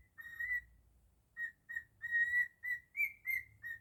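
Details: Pet cockatiel whistling its own version of Jingle Bells: a long clear held whistle, then a pause and a string of short even notes, the last few pitched slightly higher, with a faint low hum behind.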